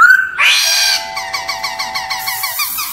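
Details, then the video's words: Forest-style laughingthrush song for voice training: a sharp opening whistle, then a fast run of short, evenly spaced chattering notes over a steady held tone. "Luyện giọng chim Khướu chuẩn giọng rừng"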